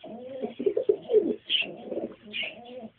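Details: Pigeons, a pair with a youngster: rapid, pulsing coos that swell and fall, with two short high squeaks between the phrases.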